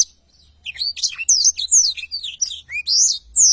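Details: Black-throated canary in full 'ngerol panjang' long rolling song, very active, used as a tutor recording: quick run of bright whistled notes and slurred rising and falling trills, high-pitched and fast after a short quiet start.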